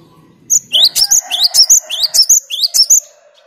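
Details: Cinereous tit (gelatik batu) calling out its clear, chatty song to provoke rivals. The phrase is a fast upward-sweeping whistle paired with a shrill high note, repeated for about two and a half seconds over a faint low hum.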